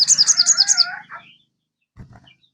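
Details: Kept crested jay, played as a lure so another kept bird will sing: a rapid run of about seven high, wavering notes over a lower harmonic band, fading out, then a brief low chatter.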